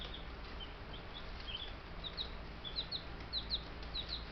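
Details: Ten baby Buff Brahma chicks, a few days after being collected from the post office, peep in high, thin, short notes, often falling at the end, overlapping and repeated roughly twice a second over a steady low mechanical hum.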